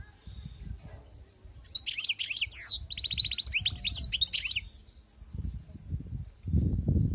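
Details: Wild-caught European goldfinch giving one sustained phrase of fast, high chattering twitters with a sharp downslurred note in the middle. Low thumping noise is heard before and after.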